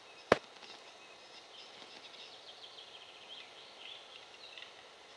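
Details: Male Western capercaillie in lek display: one sharp, loud pop, then a soft, rapid series of scratchy, grinding notes running for about three seconds over quiet background hiss.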